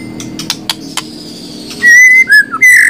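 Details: White-rumped shama giving a few faint ticks, then loud clear whistles: a long steady note, a short lower slur, and a final rich warbled phrase.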